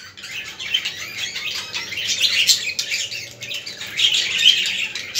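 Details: Budgie chorus meant to stimulate budgerigars: a rolling high-pitched warble of many chirps, building in busy bursts, with a couple of clear whistled notes near the end.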